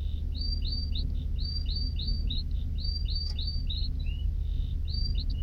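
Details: A canary's song made of repeated short upslurred whistles in quick pairs, with a lower falling note near the end, over a steady low-pitched hum.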